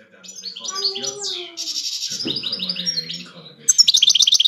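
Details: Five-year-old European goldfinch delivering a varied tinkling song of high chirps, short buzzy slurs and trilled runs, ending in a quick series of bright repeated notes.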